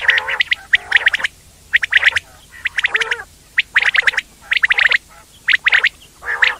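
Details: Indian quail, locally batair: clustered volleys of high chirps mixed with lower gurgling, harmonic calls, arriving in groups separated by short quiet spells.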